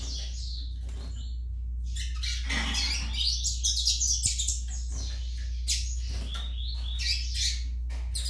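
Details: Juvenile Yellow-bellied Seedeater singing in repeated, jumbled phrases of high chirps and buzzy twitters, roughly two to three a second, over a low constant hum.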